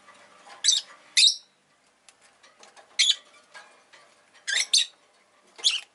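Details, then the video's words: Rosy-faced lovebird kept indoors, producing harsh high-pitched chirps singly and in doubled bursts at irregular intervals over faint ambient noise. "Lovebird Chirping Sounds"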